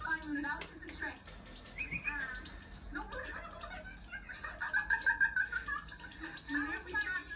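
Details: Hand-tame European goldfinch giving quick, tinkling twitters and chirps in irregular bursts, with a liquid warbled run midway; a person talks quietly in the background.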